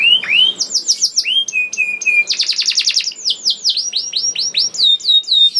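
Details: Canary singing as a prompt for other canaries: rising whistled slurs, level piping notes, a rapid rattling trill, then a string of falling chirps repeated quickly.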